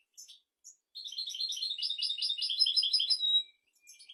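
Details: Tutor song of a European goldfinch for goldfinches and canaries: a few short chirps, then a sustained two-and-a-half-second twittering trill of quick, tinkling, buzzy notes ending in a thin whistle.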